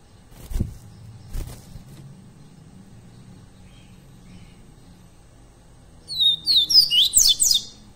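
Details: Live training recording of a Double-collared seedeater, made for captive birds to learn from. After two dull low thumps and a quiet stretch, a rapid burst of sharp, high, sweeping whistles runs for about a second and a half.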